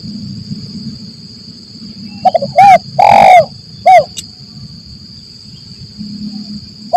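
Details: Spotted dove calling vigorously, a lure recording of the lambung Kuk 1 Mersik style used by trappers in forest: short coos, then a long rough rolling coo, then a short closing coo. A steady faint tone and low rumble sit underneath.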